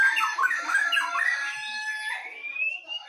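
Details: Two white-rumped shamas, from Medan and from Nias forest, dueling in song; dense, overlapping whistled phrases and chatter give way to a long, thin whistle gliding slowly upward.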